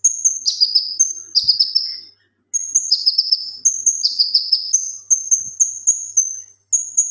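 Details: Male leafbird in vigorous song, used for training other cage birds: high piercing whistles alternate with short, falling, slightly rough phrases, with brief pauses between bursts.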